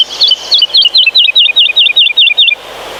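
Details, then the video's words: In Polish pine forest, a woodlark gives a soft, flute-like 'lilila' motif: roughly eleven clear two-part whistled notes repeated rapidly and evenly over two and a half seconds, then silence. "Listen to this fluid forest lullaby that can stop time."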